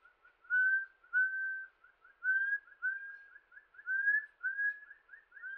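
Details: Rufous-throated partridge in Himalayan forest in Uttarakhand, India, giving a series of clear, haunting whistles. Longer drawn notes are mixed with short, quick rising notes, each climbing slightly and repeated in a steady run against a silent background.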